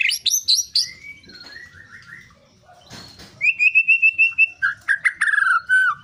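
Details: Long-tailed shrike in full, lively song with shot-like notes and mimicked fill-ins: clusters of sharp high chips, then short flat whistles, a run of rising buzzy slurs, and a final descending whistle.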